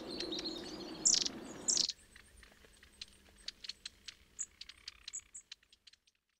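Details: Long-tailed tits at a suet feeder in winter at Saltersford Locks, Cheshire: two louder sharp high calls amid a low hum, then quieter background with repeated thin, very high short calls and clicks.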